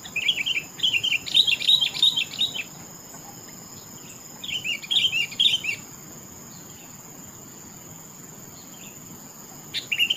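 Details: Sooty-headed bulbul singing in a rural setting: bright, bubbly phrases of quick wavering notes in two bursts, separated by a pause, over a steady high electronic whine and low background hiss.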